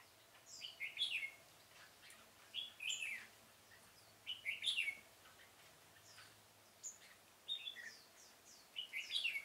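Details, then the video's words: Red-whiskered bulbul decoy singing to draw wild birds toward a trap in a pomelo garden, 25 October 2017; repeated short cheerful whistled phrases every couple of seconds, with faint low hum behind. "Bẫy chào mào Vườn bưởi độc thung chơi sịt cả mồi"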